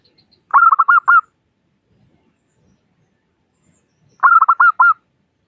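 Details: Zebra dove, local bird with a 'crystal' voice, calling as a lure so other doves start singing: two short bursts of rapid, soft cooing notes about three and a half seconds apart, quiet between.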